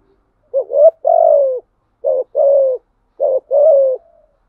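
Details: Spotted dove cooing as a lure for wild doves, thổ voice style: three low two-part phrases, each a short rising hoot followed by a longer falling coo, spaced about a second apart, nothing else audible.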